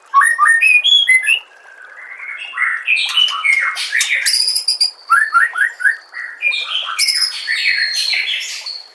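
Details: White-rumped shama singing in a training compilation for songbirds: bright rising whistles and rapid warbled runs, then a short pause, then buzzy chattering notes and high clear whistles.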